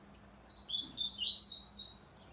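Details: Double-collared seedeater singing a rapid, high, warbled phrase of slurred whistles and fast twittering notes that climb higher toward the end, lasting about one and a half seconds. A faint low hum sits underneath.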